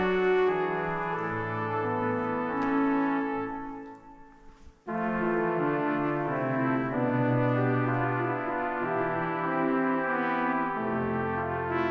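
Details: Brass instruments play sustained, harmonically rich chords, with a brief quiet break near the middle; no animal sound is heard.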